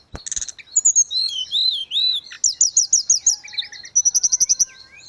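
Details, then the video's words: Grey-cheeked bulbul singing energetically, used as tutor audio for caged birds: a fast, varied run of high whistled slurs and arched notes, then a burst of quick repeated chips near the end. "Terapi tledekan gunung _gacor"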